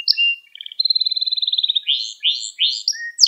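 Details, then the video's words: Canary song used as training for young canaries: short high notes, then a fast even trill rolling for about a second, followed by rising swept syllables and clear whistles. "Müthiş Ders Gibi Kanarya Sesi Ve Ötüşü"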